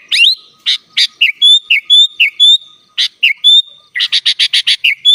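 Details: Energetic kutilang, the sooty-headed bulbul, in gacor full isian song for masteran: harsh chirps alternate with clear level whistles, closing with a rapid run of buzzy notes about five a second.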